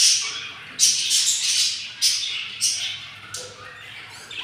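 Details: Breathy, hoarse begging rasps from hungry yellow budgerigar chicks in their nest on day 7, starting as sharp bursts and fading to quieter hissing.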